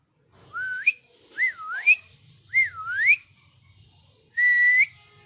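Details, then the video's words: Angry-voiced pet parrot whistling looping notes that dip and then climb sharply, three in quick succession, followed by a steady flat whistle. A soft low background rumble runs underneath. "Cute Parrot Natural Sounds!! cute Mitthu Angry Voice"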